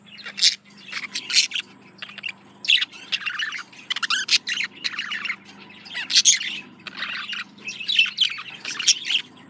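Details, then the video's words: Courting male budgie singing to a female: bursts of quick chattering, squeaky notes and short harsh squawks, broken by pauses of about a second, over a low continuous hum. "Male Budgie/Parakeet Courting Female"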